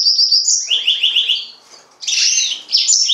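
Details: Yellow-fronted canary song opening with a steady high whistle, followed by a quickly repeated descending trilled series, then a burst of buzzy high warbling notes.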